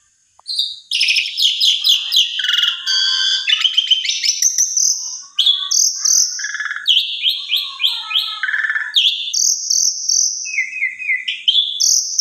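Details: Asian pied starling singing a long, varied phrase used to spur a reluctant bird: fast rattling chirps, whistles, buzzy notes and short falling slurs, almost without a break.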